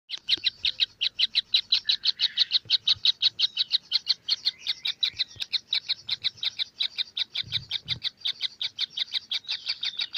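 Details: Kingfisher chicks calling in a fast, steady stream of short, harsh, high notes, nearly three per second, continuing without pause through the whole stretch, with faint low rumbles underneath.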